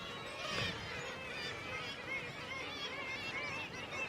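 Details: Black-legged kittiwake colony on a headland during the chick-feeding season: many overlapping, nasal, rising "kittiwake" calls pour out continuously as a dense chorus, agitated by herring gulls flying over the nests.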